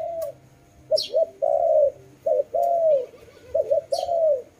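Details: Clear dove calls, double short notes each followed by a long even coo, the pattern repeated three times, with brief rustling sounds between phrases.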